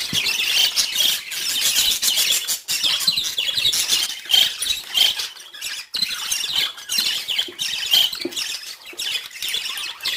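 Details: Pet budgerigars chirping in the morning: a continuous busy chatter of overlapping high scratchy chirps and squeaks from several birds, with occasional short clear whistles.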